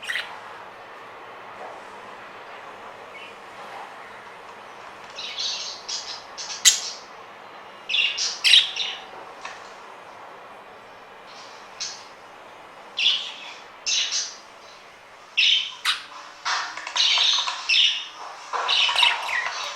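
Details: Two young pet budgerigars, social and chatty, give scratchy, chirping chatter in short bursts, some notes harsh and squawky.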